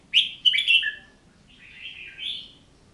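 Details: Oriental magpie-robin singing clear whistled phrases: a bright rising note, a cluster of sweet slurred whistles, then a lower note, a pause, and a softer warbled phrase ending on a rising whistle. The background is quiet.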